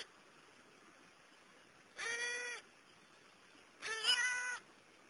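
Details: Young wild New Caledonian crows learning to fish wood-boring beetle larvae from holes: two harsh, nasal, cat-like calls about two seconds apart, each around half a second long with stacked harmonics, over steady background hiss.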